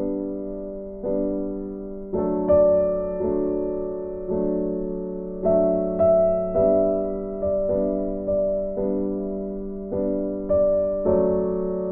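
Slow piano music with sustained chords struck every second or so, and no animal sound heard.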